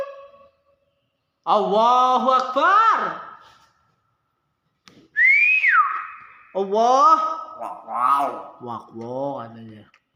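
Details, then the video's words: Nias hill myna producing rich, nasal, harmonic notes in voice-like phrases, one clear whistle that rises and falls, then a run of quick, choppy harmonic notes, with silent gaps between phrases. "BEO NIAS SUARA ASLI"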